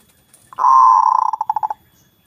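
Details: Local zebra dove with a loud, big voice, singing to lure rivals into calling back: one long, steady, mellow coo followed by about eight short cooing notes in quick succession. The phrase lasts just over a second in quiet surroundings.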